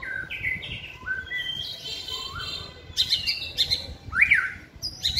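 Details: Caged white-rumped shama in song training, hung on a pole near other birds: clear downward-stepping whistled phrases, then loud bright notes and a sharp rising-falling chevron, finishing with high quick notes.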